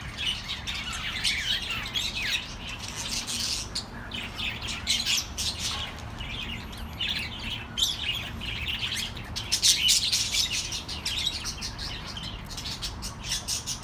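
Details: Lively chorus of pet birds chirping for lonely companions: unbroken chatter of rapid squawky and twittering notes, loudest around ten seconds, with rasping accents throughout and a soft low hum underneath.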